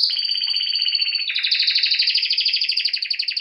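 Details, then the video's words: A singing canary delivers a continuous, fast, high trill that shifts to a slightly different, pulsing trill partway through, loud and steady throughout. "Canary bird Singing"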